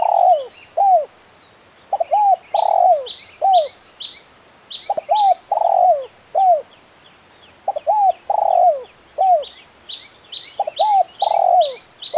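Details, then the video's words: A champion spotted dove gives crisp, active KUK 1 cooing: several phrases in quick succession, each a double note, a swelling long coo and a dropping end note, with high chirps from other birds in parts. "Suara Burung Tekukur Gacor KUK 1 Mersik Jagonya Bikin Emosi"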